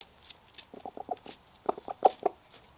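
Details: A rooster, in a group of roosters seeing their first bald eagle, a full-grown one, gives short, throaty alarm clucks, about ten in under three seconds, growing louder and more urgent toward the end.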